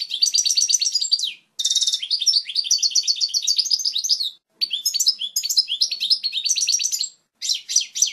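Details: Pure, strong goldfinch song recorded for chicks to learn: several lively phrases of high twittering and buzzy notes, each separated by brief pauses, delivered loudly and clearly.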